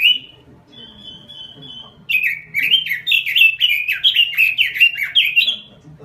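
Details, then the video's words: Lure and tutor recording of a robin singing nonstop. It opens with a sweet note and a long, even, high whistle, then breaks into a rapid chain of chirpy, up-and-down warbled notes. "Suara Pikat Burung Robin Full Gacor . Masteran Burung Robin"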